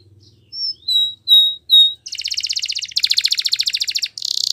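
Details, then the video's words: Spanish Timbrado song of a canary used for training: a few clear whistled notes, then successive pulsed trills growing denser and louder, separated by short pauses. "Canary Singing Training Video"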